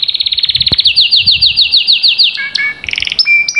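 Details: Canary song played as a stimulus for canaries that have stopped singing: a long rapid trill of bright repeated notes, then slurred descending whistles and brief higher trilled rolls, all quick and high-pitched.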